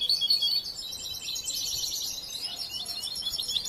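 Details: Young European goldfinch, raised from hatching and still learning its song, gives a steady stream of rapid high chirps and buzzy twitters, a little louder at the start.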